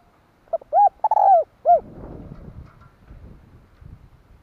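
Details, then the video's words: Spotted dove kept as a decoy, cooing to draw in wild birds: a single phrase of two short hollow notes, a longer sliding coo and a final note, followed by faint background rustling. "Tiếng cu mồi gáy hay kích mồi tập bổi"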